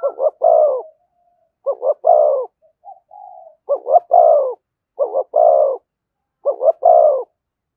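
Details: Spotted dove song of the thổ voice type, thúc and kèm styles: repeated phrases of two quick pulsing notes and a longer falling coo, about five phrases, with faint soft tones between them.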